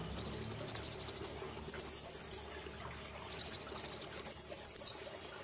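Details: Caged brown-throated sunbird singing in the rapid nembak style with platuk and cililin phrases, a judges' favourite: two rounds of steady high pulsed notes, each followed by a faster, slightly higher buzzy trill.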